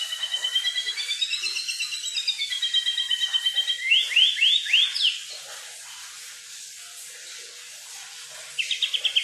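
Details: Kukluk bird heard in the wild with a long run of quick, bubbling high notes shifting in pitch, then several strong downswept whistles, a quiet gap, and a final rapid trill.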